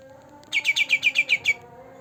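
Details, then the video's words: Two-month-old green leafbird, its singing used as a lure for birds that seldom sing, gives a quick run of eight sharp, evenly spaced chirps, each dropping slightly in pitch, with a faint steady hum behind. "Cucak Ranting Gacor Dor Dor pancingan untuk burung yangg jarang bunyi"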